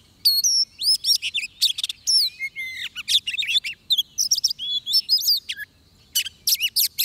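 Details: Oriental magpie-robin song recorded during bird trapping: loud, varied whistled phrases with rising and falling slurs, sweeping upward notes and harsh buzzy bursts, delivered in quick bouts with short pauses. The background is quiet.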